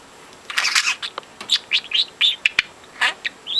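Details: Young pet budgie, four months old, pushed from the nest at two weeks and talking since two months, mostly mimicking overheard conversations; quick bursts of scratchy, chirpy chatter and short high squeaks with brief pauses between phrases.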